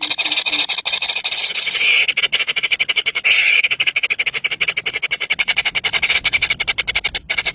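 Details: Hungry nestlings, three baby birds, give high thin begging squeaks in quick uneven pulses, with a louder shrill burst near the middle.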